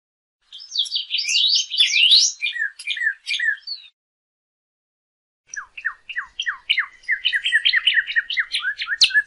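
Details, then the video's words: A Northern Cardinal song, used to teach pet birds to sing, in two bursts: first a jumble of quick, bright, high notes, then a fast run of repeated downslurred whistles. "CARDENAL ROJO: ENSEÑA A TU AVE A CANTAR CON ESTE AUDIO"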